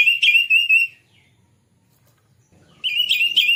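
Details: Oriental magpie-robin song played as a lure to make birds sing and open the tail: loud fast warbled chatter, a second of silence, then the rapid buzzy run resumes.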